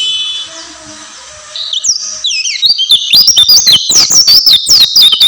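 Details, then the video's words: Oriental white-eye bursting into song after a quiet start: high sliding whistles that quicken into a rapid, chattering run of bright twittered notes. "burung pleci gacor"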